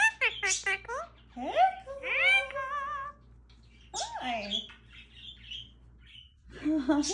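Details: A pet Indian ringneck parrot chatters in high, squeaky, speech-like phrases with quick rising and wavering syllables and brief pauses between bursts, during a talking knock-knock routine.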